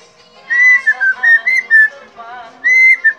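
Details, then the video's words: Caged helmeted friarbird, whistling tirelessly under teasing, gives wavering whistled phrases: a long note sliding down into several quick notes, a pause with lower warbling tones, then another long whistle. "KOAK KAOK PANDAI BERSIUL"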